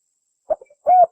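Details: Spotted dove cooing to lure and provoke a rival: one brief low note and a couple of faint soft notes, then a single steady, mellow coo lasting about a quarter second.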